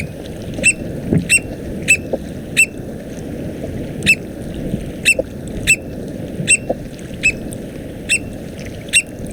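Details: Mexican recording: an American Oystercatcher gives sharp, piercing single notes, repeated roughly every half second to second, over a steady low rumble of surf or wind; the opening seconds may hold its different call given near nests, eggs or chicks.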